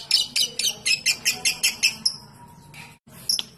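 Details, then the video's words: Lovebird giving a long ngekek trill, meant to provoke other lovebirds into trilling: a rapid run of high, sharp chirps about four per second that fades out, then a brief pause and a final squeaky note. "LoveBird Ngekek Panjang Terbukti Ampuh memancing Love Bird langsung Ikut Ngekek"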